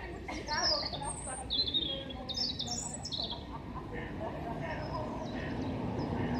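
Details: European robin singing in Hengelo on 5 May 2018, a longer song from the same bird: a quick burst of high, thin, tinkling notes that rise and fall, then fainter phrases, over a steady low rumble.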